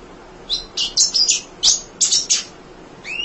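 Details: Munia song meant as training material for other songbirds: a rapid string of bright, high, slightly buzzy chirps, closing with a clear downward-sliding whistle.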